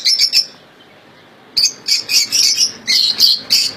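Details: Caged European goldfinch, described as a royal goldfinch with flawless song, kept among several birds: bright, high twittering bursts, a short phrase, a pause of about a second, then rapid chattering notes.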